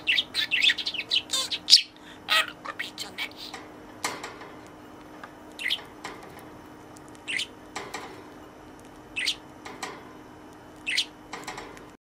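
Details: Caged budgerigar chattering learned words to its toy companion, a burst of fast high chirps at first, then isolated raspy syllables roughly every one to two seconds.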